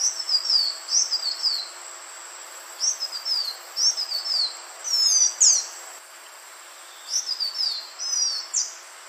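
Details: Green iora lure call: three long bouts of high, slurred whistles dipping and falling, with sharp upswept notes between, over steady background hiss.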